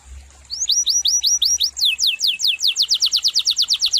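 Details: Gacor canary singing a run of short slurred whistles that quickens into a steady series of about five crisp repeated notes per second.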